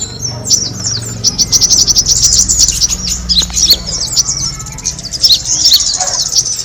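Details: Kemade bird lure sound for attracting birds: many high, sharp chirps crowd together in a busy chorus, with fast trills near the start and a faint low rumble underneath.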